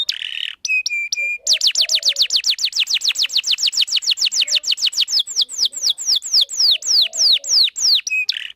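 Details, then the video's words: Canary singing a lure song meant to teach young birds and attract males: a few short chirps, then a long run of clear, sharply dropping whistled notes, about four per second, ending with a buzzy chirp. "Pancingan Kenari Paud Belajar Bunyi"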